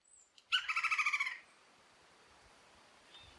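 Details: Red-crowned woodpecker in the forests of Colombia's Orinoquía, calling to communicate and mark territory: a single harsh, rapid rattle of about eight even, nasal pulses lasting under a second, then quiet forest background.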